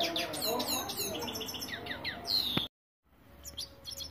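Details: European goldfinch singing: a busy run of fast twittering, buzzy and tinkling high notes for over two seconds, ending in a sharp downward sweep, then a brief silence and faint low hum with a few soft chirps.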